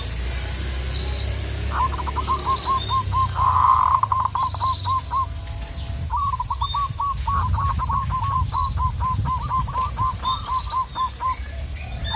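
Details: Local zebra dove calling a rival. It gives two long bursts of fast, stuttering coos, the second longer. A low rumble underlies the calls, and faint chirps come from other birds.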